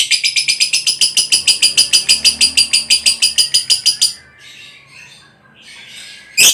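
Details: Lovebird delivering a ngekek trill of about four seconds: quick, even, metallic chattering pulses. Near-silence follows, then one abrupt sharp note at the end.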